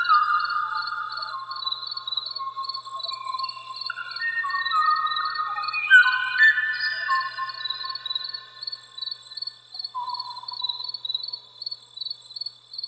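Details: The last song of a male Kauai oo: hollow, flute-like whistled notes that step up and down in short phrases.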